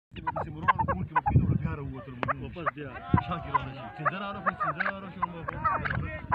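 A male chukar gives rapid, harsh clucking chuk notes in an uneven chattering series, with low human voices murmuring underneath.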